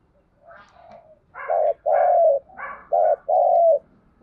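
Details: Spotted dove cooing in the half-light before sunrise, urging style used to make new birds coo in reply: soft lead-in murmurs, then two deep hollow phrases, each a short coo and a longer slurred one.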